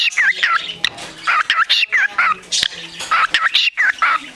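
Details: A female shelter parakeet, a "beatboxing bird", recorded 29 March 2010, chatters in quick bursts of high, twisting chirps and clicks, about a dozen notes in four seconds, with a voice speaking faintly in the background.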